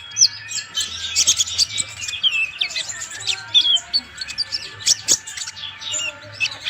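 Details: Tutor recording of a singing Van Hasselt's sunbird (Leptocoma sperata), locally konin: dense, busy twittering of high squeaky chips and quick slurred notes, nearly continuous, over a soft background hum.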